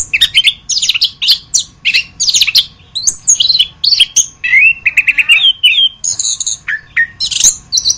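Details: Orange-headed thrush (anis kembang) masteran song: fast sequence of varied chirps and downslurred whistles, a run of repeated mid-pitched notes, then high clear whistles and sharp chirps; faint background hum.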